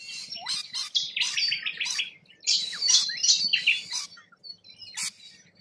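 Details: Wild Australian rainbow lorikeets: several birds give shrill, high screeches and buzzy rasping chatter in overlapping bursts, with short sharp squeaks between louder phrases.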